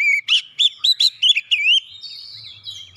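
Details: Oriental magpie-robin song meant to provoke other birds into singing: a rapid run of loud, clear whistled notes, some looping up and down, ending in a long thin high whistle, background nearly silent.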